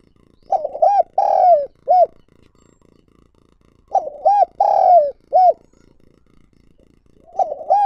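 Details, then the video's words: Decoy spotted dove cooing to lure and provoke wild doves: three phrases of low, husky coos, each several notes with a long drawn middle note, repeated about every three and a half seconds with silence between. "Chim Cu Gáy Mồi Gáy Gọi Thúc Kích Bổi Mới"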